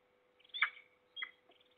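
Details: Peregrine falcon making morning noise in Trzebież Forest District on 6 September 2022: one strong grating squawk, then a shorter, weaker rasp and a faint trailing note, over a low constant hum.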